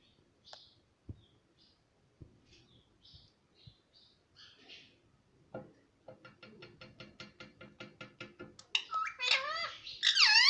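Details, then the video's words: Pet ring-necked parrot talking, said to say "mummy papa": scattered faint chirps and clicks, a quickening run of rapid pulses, then loud wavering, speech-like phrases at the end. "मम्मी पापा बोलने वाला मिट्टू || ringnack parrot talking mithu"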